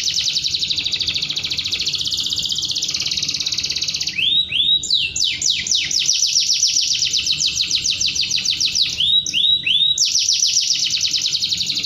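A canary sings a long, unbroken run of high, fast trills and rattling tours, with a few sharp upswept notes between phrases.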